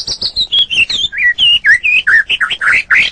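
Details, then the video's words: Caged-bird training recording of a white-rumped shama: continuous rich song of slurred whistles, wavering up and down, loud and varied, with notes delivered in a steady rapid stream. "Ocehan Suara Burung Muraai Batu"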